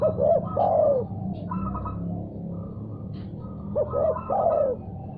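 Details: Spotted dove answering a call it has heard. A phrase of two short coos and a long falling coo opens the clip, then higher rattling notes, then the same cooing phrase again, over low-pitched background hum.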